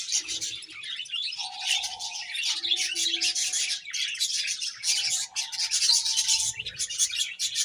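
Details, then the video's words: Budgerigars chirping in a dense, continuous chatter of high scratchy warbles and twitters, with faint steady low tones running beneath in bursts. "Beautiful Budgies Chirping Sounds"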